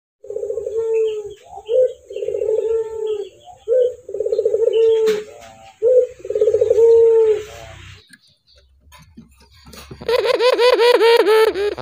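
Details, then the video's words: Barbary dove cooing to set other doves singing: a short note, a rolling pulsed coo and a long steady drawn-out tone, repeated about every two seconds for eight seconds, then a burst of harsher, rapidly pulsed sound. "Suara burung puter ini membuat puter anda ikut gacor"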